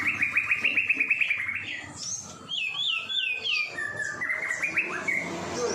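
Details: Caged-bird training recording of a white-rumped shama singing: a fast series of rhythmic repeated whistled notes, then looping slurred phrases and high sweeps, ending in another rising rattling run of whistles.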